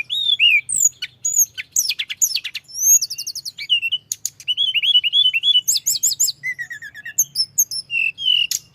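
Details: Continuous rolling song of a mountain flowerpecker, used to stir up rival birds: a fast, varied stream of high squeaky chirps, bursts of rapid ticking trills and downslurred whistles, densely packed with hardly a pause, over a faint steady low hum.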